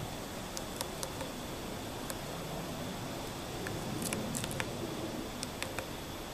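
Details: A Eurasian three-toed woodpecker in Espoo on 4 June 2015 knocks on wood while foraging, finding white larvae: a dozen faint, sharp knocks at an irregular pace, some in quick pairs, over steady hiss.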